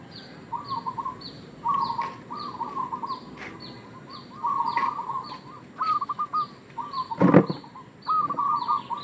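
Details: Local zebra dove, male, lure call for trapping: several short rolling coo phrases, accompanied by steady high descending chirps of another bird and a few sharp knocks.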